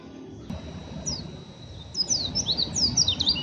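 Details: Untrained young oriental white-eye chattering roughly, ngeriwik style: after a quiet start, a thin chirp, then a lively burst of high squeaky, zigzagging notes over a low background rumble.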